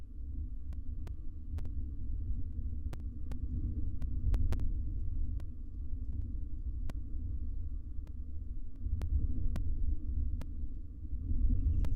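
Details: Only a steady low hum with scattered sharp clicks and taps is heard, with no animal calls.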